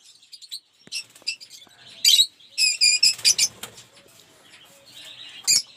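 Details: Lovebirds kept in an aviary, a collection of colour mutations, chatter with shrill, rasping high notes, some rapid clusters of repeated squeaks, over a faint background hiss.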